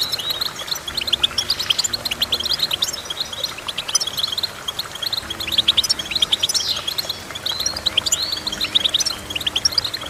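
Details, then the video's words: Goldfinch song as a long stream of tinkling, high chirps and buzzy trills, with a sweeping note near the middle. Faint steady low tones hum in the background. "Goldfinch Chirping"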